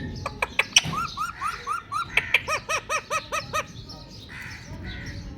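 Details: Ringneck parrot reacting to its reflection in a mirror: sharp clicks, then a quick, rhythmic series of arched, rising-falling whistled notes, about a dozen in a row, before fading to a soft hum.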